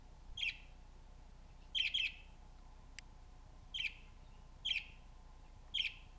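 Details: A pet budgerigar reacts to a budgie video played on a computer, seemingly trying to talk to it, with short, bright chirps in brief bursts, roughly one every second or so.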